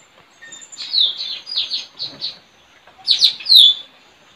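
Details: Straw-headed bulbul, a trained decoy bird singing in a village in front of a house on 4 April 2021 to call wild birds: loud, rich warbling bursts of slurred whistled notes, pausing, then a second bright bubbling phrase.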